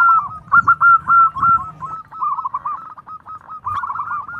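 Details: A local zebra dove gives a luring call of fast repeated coos, rolling and even in pitch. The coos fade slightly mid-sequence before picking up again, with low rumbling noise beneath.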